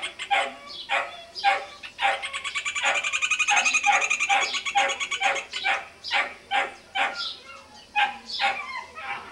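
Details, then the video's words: Rufous hornero in a tree beside a house on a small farm: separate harsh notes speed up into a fast, loud, ringing trill of even repeated notes lasting about two seconds, then slow again into spaced buzzy calls. "João-de-barro construtor e cantador"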